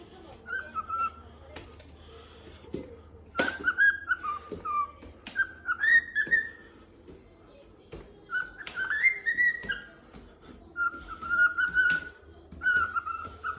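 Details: A pet cockatiel in a very good mood whistles a cheerful, wavering tune in short melodic phrases near one pitch while going to wake its owner.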